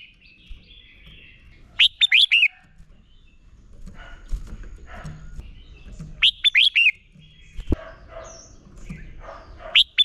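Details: Red-whiskered bulbul fighting song for training: three loud bursts of steeply falling, ringing whistled notes several seconds apart, with soft chatter and low background noise between.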